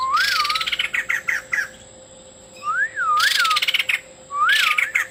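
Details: White-crested laughingthrush male in full song with learned filler phrases: wavering double whistles that dip and rise, each paired with a loud buzzy chatter, three phrases in quick succession.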